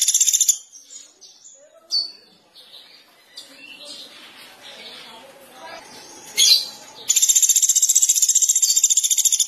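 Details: Pelatuk beras, or Sunda pygmy woodpecker, calling actively: a brief trill at the start, scattered chirps and background chatter through the middle, then a strong, rapid, buzzy pulsed trill for the final two seconds.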